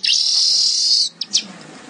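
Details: Weaver singing vigorously, gacor style: a sustained, hissing high buzz for about one second, followed by two quick sharp chips.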